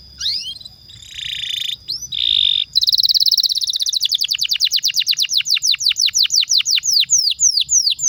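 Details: Canary lure song used to coax pet canaries into singing: a few sliding whistles and harsh buzzy bursts, then a long rapid rolling trill of falling high notes speeding into steady pulses.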